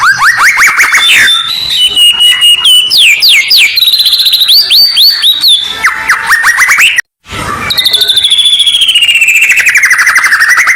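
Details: Murai batu (white-rumped shama) masteran meant to calm and prime contest birds: rapid rising whistled sweeps, steady high trills and ringing notes, a brief silent break, then a long fast trill.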